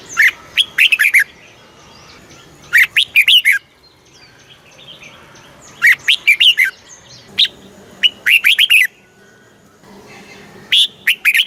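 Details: Southern-style Red-whiskered bulbul master song from Thailand, played to stir and train caged birds and young birds: short loud bursts of five or six rich, fluty warbled notes, repeated about every two to three seconds.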